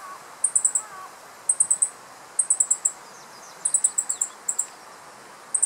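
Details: Male meadow bunting (Emberiza cioides) perched on a dead branch in riparian forest in Japan, mid-July 2015, calling loudly on alert at the recordist after catching and swallowing an insect: very high, thin ticking notes in quick bursts of three to five, about once a second.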